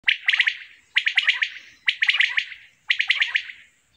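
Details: Common quail singing in a summer meadow: short, liquid, clipped bursts of a few quick notes, repeated about once a second, with a faint high thin tone lingering behind.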